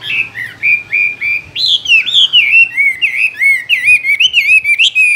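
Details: Caged Chinese hwamei in full song, an unbroken stream of loud, bright whistled phrases that rise, fall and warble, each short motif quickly followed by the next.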